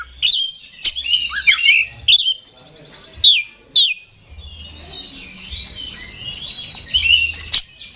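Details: Kacer, the Oriental magpie-robin, in lively 'super gacor' song. Tumbling warbled phrases and sharp whistles lead into a long, buzzy, rattling trill.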